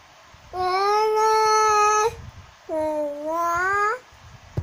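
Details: Cockatoo singing: two long, clear, harmonic-rich notes, the first held level for about one and a half seconds, the second starting lower and rising at its end, separated by a short pause.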